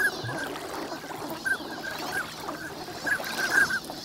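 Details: Migrant ducks wintering at Lake Inawashiro's Nagahama shore in Japan, recorded on a sunny morning. Scattered short calls come sparsely at first, then cluster in a quick run of notes near the end, over soft background murmur.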